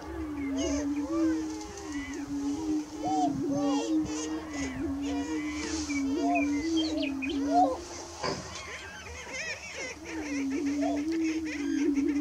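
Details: Low continuous booming drone from greater prairie chickens at dawn, 30 March 2018, with intermittent whooping and cackling calls, a brief lull near the middle, then the drone resumes.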